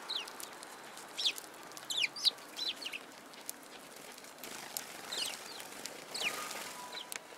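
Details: Sparrows gathered at food on the ground, dated 1 March 2017, giving quick scattered chirps, some sharp and falling, from several birds, with faint rustling between calls.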